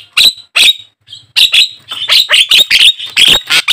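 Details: Black-winged starling (jalak kebo) singing as a lure to prompt caged starlings into song: a steady run of loud rasping, screechy notes with harsh chattering bursts, nearly continuous after the first second.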